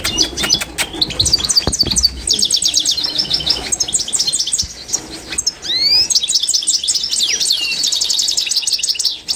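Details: High, rapid twittering song of a Constantine goldfinch being trained, with bursts of repeated sharp notes, chattering trills and upward sweeping whistles, plus a few low thumps.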